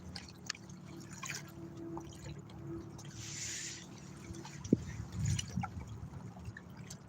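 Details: Quiet water drips and soft gurgles over a low steady hum during a fishing outing, with a short hiss in the middle and no animal voices.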